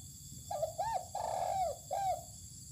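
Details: Spotted dove sunning outdoors on open land, calling a loud mellow coo phrase of a brief note, a swelling arched hoot, a drawn-out falling note and a final short hoot, with soft background hum.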